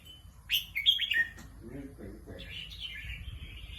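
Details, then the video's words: Competition red-whiskered bulbul in a cage delivers a loud burst of clear whistled notes that slide down in quick steps, then a man talks briefly before softer, warbling whistles return at the end. "นกกรงหัวจุก นกแข่ง"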